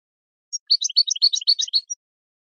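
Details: European goldfinch song meant for training birds: a brisk run of high twittering notes lasting over a second, bouncing between two pitches and ending with a thin high note.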